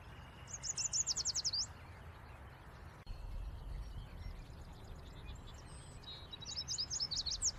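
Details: Yellow warbler delivering bright, rapid high whistled phrases of accelerating slurred notes, sung twice with a pause between, over continuous low environmental noise.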